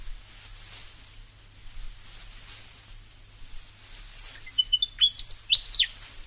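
A Willie Wagtail gives a quick run of sharp, high chirps and sweet rising notes in the last two seconds, after a quiet stretch of faint background hiss.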